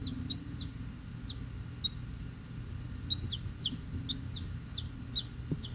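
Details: Week-old chicks, mostly Rhode Island Red hens with Black Sumatra hens and one mystery chick, hatchery-ordered; frequent high, falling peeps, several chicks overlapping, above a constant low rumble.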